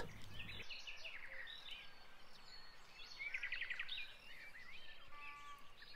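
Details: An eastern olivaceous warbler sings a scratchy, chattering stream of quick notes in a Bulgarian river valley meadow in May; other birds sing alongside, with a low rumble at the start.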